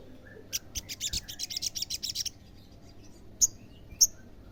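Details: Lively olive-backed sunbird, meant to draw answers from other sunbirds, gives a hurried string of high, buzzy chattering notes for nearly two seconds, then two separate piercing chips.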